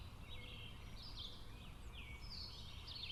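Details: A wild flock of about ten Smooth-billed Anis foraging on vacant land in Brazil: faint, drawn-out, rising whining whistles from several birds, repeated over steady low background rumble and hiss.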